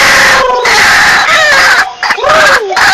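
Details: Calls of a white-breasted waterhen used for luring: harsh continuous strident notes with a few clear whistles gliding down in pitch, loud and close.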